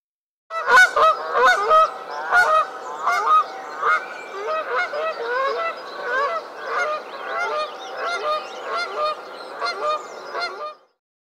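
Canada geese honking in a busy chorus, loud nasal two-note honks overlapping at more than one per second, several birds calling together.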